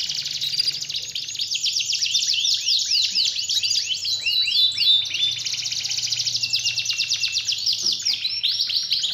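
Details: Canary song used as a lure to get a lazy, quiet canary singing steadily again: a continuous loud, rapid stream of high buzzy trills and rolling repeated notes, switching between phrases every second or two, with a faint low hum beneath.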